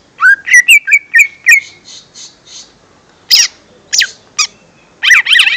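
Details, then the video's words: Lesser green leafbird song used as a lure for young wild-caught birds; loud whistled notes sliding and rising, a run of quick phrases, then soft buzzy notes and sharp sweeping chips in bursts. "Suara Pancingan Cucak Ijo Mini/Cimini Bakalan"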